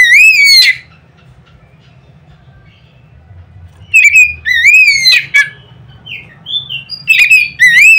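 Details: Oriental magpie-robin singing loud provoking notes: one rising whistle, about three seconds of quiet, then repeated bursts of rising whistles, sharp chips and softer twittering.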